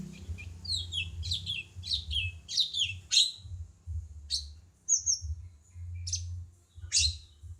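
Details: Cucak cungkok bulbul singing for songbird tutoring: a run of high, sharp chirps and downward-slurred whistles about twice a second, then spaced single notes, with a constant low rumble underneath.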